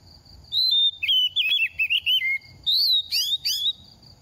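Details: Second-season oriental magpie-robin singing during moult while dropping feathers: a slurred whistle, then a chain of quick wavering notes stepping lower, followed by bright upsweeping calls at a high pitch.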